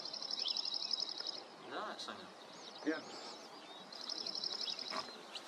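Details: Singing Dark-eyed junco, a North American bird in a small coastal garden at Rattray Head, Aberdeenshire, one morning in May 2023; two level, rapid high trills about three seconds apart, with brief softer chirps and whistles between.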